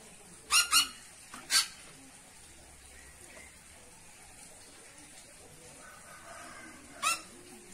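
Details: Papuan cucak pantai producing abrupt, harsh, harmonic bursts: a quick double note, a third note shortly after, then a lone note several seconds later, separated by quiet pauses with faint background noise.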